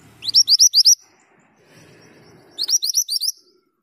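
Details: Actively singing male Javan Grey-throated White-eye giving two short bursts of four to five high, sharp upslurred whistles, separated by about a second and a half of near silence with soft low rustling.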